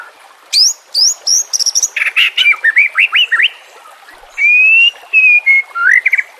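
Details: A white-rumped shama, recorded as a master song for training captive birds with nature sounds and trickling water, gives piercing high rising notes, a buzzy harsh burst, a run of quick descending chips, then long pure level whistles.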